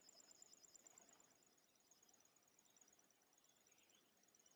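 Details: River warbler, heard faintly in Fertő-Hanság National Park, Hungary, in May 2019: a dry, high, insect-like buzzing that runs on steadily as a rapid, rhythmic shuffle.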